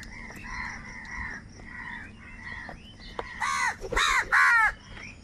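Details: A large flock of crows fighting for food, calling loudly: a series of repeated harsh caws in quick succession, the last few louder and rougher, with steady faint background noise.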